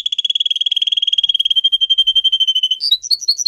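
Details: Canary song used for training pet birds: a steady rapid rolling trill, loud and clear, shifting near its end into sharper, higher chirped notes.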